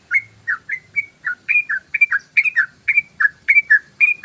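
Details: Crisp downslurred whistles from a yellow-vented bulbul in 'ropel' style, a lure song for attracting birds, tumbling out about four per second in an uneven, lively rhythm against a quiet background.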